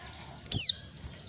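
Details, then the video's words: Female white-eye call meant to draw in males, a single clear high whistle falling quickly in pitch, brief and isolated against quiet background. "panggilan pleci betina. pleci jantan auto nyawut"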